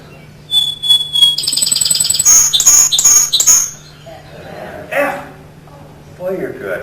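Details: A song sparrow (Melospiza melodia) sings one of its eight different songs: a few clear introductory whistles, then a rapid buzzy, trilled middle with sharp high notes, ending abruptly; a man speaks afterward.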